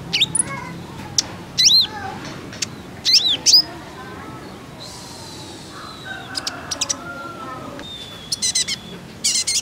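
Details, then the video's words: Female kolibri ninja sunbird giving calls meant to make males sing: clusters of high, curling chirps, then a quieter stretch with a soft, level whistle and a few faint ticks. "OCEHAN KOLIBRI NINJA"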